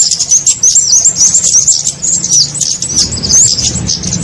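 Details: Lure sound of kemade birds for trapping small birds: rapid, high, wavering chirps overlapping in a dense twitter, about three notes a second, with a low background hum.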